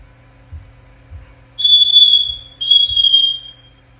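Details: Ten-month-old African grey parrot in its crib giving two long, clear, high whistles, the first steady and the second slightly falling, after faint soft thumps in a quiet room.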